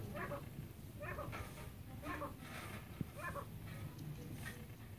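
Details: Pair of chukar partridges, Pakistan's national bird: a series of short harmonic clucking notes, repeated roughly once a second, over a steady low hum with faint background noise.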